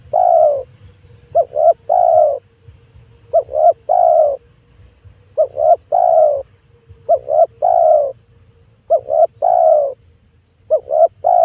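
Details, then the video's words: Spotted dove lure call used for trapping wild doves: repeated phrases of two short coos followed by a longer drawn-out coo, each phrase about two seconds apart, low and steady, with faint low background hum. "PANGGILAN TUKUKUR PIKAT 2022 COCOK BUAT PANCINGAN TEKUKUR LIAR"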